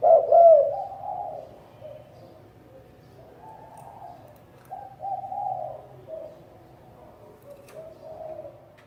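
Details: Spotted dove with a prized cooing voice, from a 2020 top ten: one clear rolling coo at the start, followed by softer, muffled low coos trailing off in the background.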